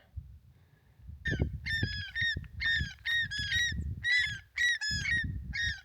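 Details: A defensive pair of Andean geese squawk overhead at an approaching person by a low, stone-walled natural pond in the Andes above Cusco, Peru, at about 4,000 m: rapid, ringing, nasal honks, about two per second, in short uneven bursts over low wind rumble.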